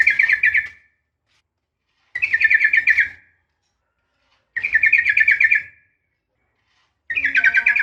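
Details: Fighting sound of a female sooty-headed bulbul calling the male: four phrases of rapid, bubbling chatter, each about a second long, come roughly every two and a half seconds.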